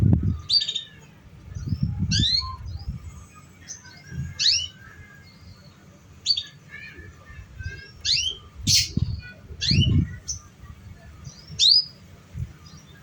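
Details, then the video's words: Canary lure song for prompting young, untrained canaries to sing: bright, sharp chirps and upward-sweeping whistled notes in scattered bursts, with low thumping rumbles underneath. "Pancingan Suara Kenari Paud"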